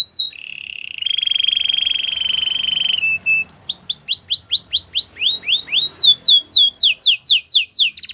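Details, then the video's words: Spanish Timbrado canary in full song: a sustained high buzzy tone held for two seconds, then rapid series of curved whistled notes repeated about four per second, changing phrase types. "Melodies canary bird song | Spanish timbrado singing"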